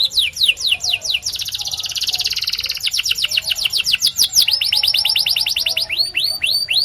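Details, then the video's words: Singing white canary delivering a continuous high song of swooping slurs and dense rattling trills, phrases changing every second or two with barely a pause between them. "The Best White Canary's Singing"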